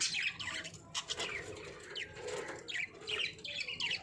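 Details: Caged budgies chirping and warbling continuously, quick rising and falling chirps with buzzy squeaks packed closely together, a steady stream of high chatter with no pauses.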